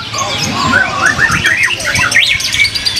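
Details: Competition lovebird, a konslet-class bird from Purwakarta, singing rapid chirpy twittering phrases of rising and falling whistled notes with busy low background noise.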